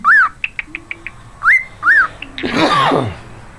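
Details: Pet cockatiel (quarrion) known for singing Jingle Bells, wolf whistling, talking and dog-like barking: clear arched whistles, rising then falling, separated by quick clicking ticks, ending in a harsh, raspy, noisy burst lasting about half a second.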